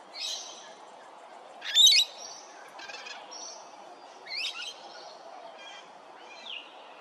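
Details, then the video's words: Little wattlebird at Hervey Bay, Queensland, gives harsh, raspy bursts about every two to three seconds, mixed with thin high chirps, over a steady low hum. "Little Wattlebird"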